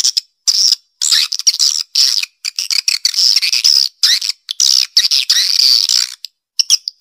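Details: Swiftlet lure call in the "Black Panther" style, played to draw swiftlets to the central area of a nesting site: dense bursts of shrill, buzzy twittering chirps, high-pitched and broken by short silences, with no low sounds.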